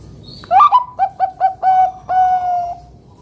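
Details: Clear, strong zebra dove song for luring other perkutut to sing: a sweeping upward opener, four evenly spaced short coos, then two long level drawn-out coos fading away.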